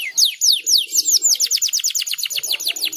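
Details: Singing canary in gacor style. Slow, high downslurred whistles speed up into a rapid run of falling notes, with a faint low murmur underneath.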